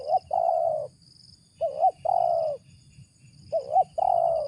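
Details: Spotted dove (tekukur) giving its deep "ngeruk" coo, called suitable as a lure: a short wavering double note followed by a long, steady, slightly falling coo, repeated about every two seconds over a faint steady high whine and low rumble.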